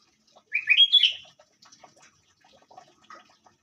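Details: Sooty-headed bulbul (kutilang) giving a short, bright, warbled phrase that rises and bubbles for under a second, followed by a scatter of soft, faint notes in otherwise quiet surroundings.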